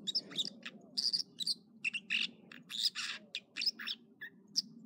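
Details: Singing American dipper, morning, Echo Lake in the Trinity Alps of California: loud, high, varied notes delivered in quick clusters, sharp chirps mixed with harsher buzzy elements, with a low continuous rumble underneath.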